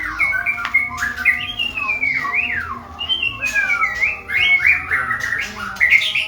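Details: Male white-rumped shama in training, singing a rich run of whistled, swooping and slurred phrases that rise and fall, interspersed with sharp clicks and brief rattles, strong and continuous throughout.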